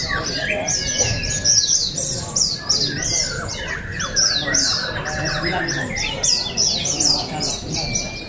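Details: Several oriental white-eyes sing at once in an open song and style contest, Pesta Bederun Balingian 2023, Sarawak: a continuous stream of quick, sharp, descending twitters, with a faint level whistle and crowd noise below.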